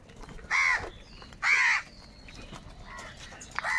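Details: Harsh caws from crows fighting over food: two loud, drawn-out calls with a rising-falling arch, then fainter shorter caws, with a quiet background between them.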